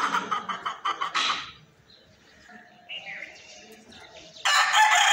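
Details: Rooster, tagged as an Aseel, gives a burst of rapid, harsh pulsed notes, falls quiet, then breaks into a loud, strained crow at the end.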